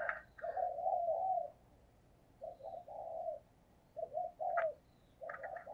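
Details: A lure spotted dove doing 'thúc gù' cooing to rouse wild doves: clusters of two or three rounded coos separated by pauses, with faint higher chirps in the background.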